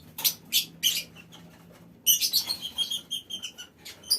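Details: Lovebirds in a mini aviary: a few harsh screeches, then a quick string of sharp whistled, chittering notes falling slightly in pitch.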